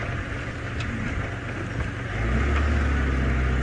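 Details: A vehicle engine rumbles low and steady, growing louder partway through; no animal calls stand out.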